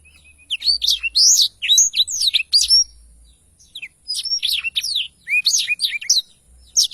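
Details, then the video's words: Black-throated Canary in very active rolling song, clear tutor recording: two bursts of rapid high twittering and slurred whistles separated by a short pause near the middle. "Tarikan Suara Blackthroat Super Gacor Ngerol Panjang"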